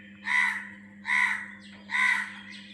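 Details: Three harsh, hoarse caws from a bird, evenly spaced about a second apart, over a low steady hum, recorded around 5 o'clock alongside other birdsong.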